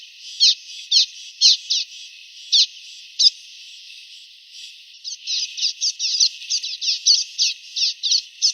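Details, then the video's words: Common waxbill song recorded clean with no added effects: short buzzy chirps in bursts, a loose series early, a pause near four seconds, then a faster run of repeated notes to the end. "Som limpo do canto🎵 do Bico de Lacre"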